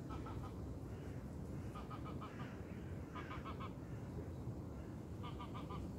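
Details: Geese give short nasal honks in quick runs of three or four, every second or two, over a steady low rush of wind in reeds on a calm autumn lake shore.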